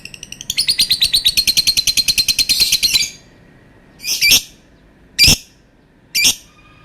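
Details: Lovebird giving a long call: a fast series of about twenty harsh, buzzy chirps over roughly two and a half seconds, then three separate short squawks spaced about a second apart.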